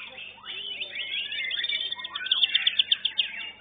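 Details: Young white-rumped shama in a song competition class: flowing whistled phrases rising and falling, ending in a fast run of sharp, evenly spaced chips, with background chatter from other birds.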